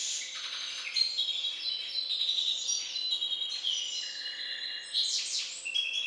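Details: Hybrid finch bred from a Balkan canary line, singing a dense, continuous warbling run of high twittering notes, rapid trills and buzzy phrases with short whistled slurs, a faint steady hum underneath.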